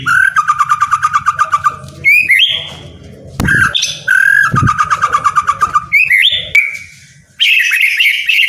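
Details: Captive white-rumped shama song for prompting silent birds: fast rattling trills alternate with bright whistled phrases, repeated in two bursts, with occasional thumps and a low hum.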